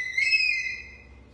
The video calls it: hawk eagle sound after hunting